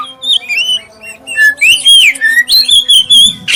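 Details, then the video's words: Magpie-robin with a black breast giving a clear-toned prompting song for other magpie-robins: smooth drawn-out whistles gliding up and down, with short quick notes in between, a steady faint hum underneath. "suara pancingan kacer dada hitam suara jernih"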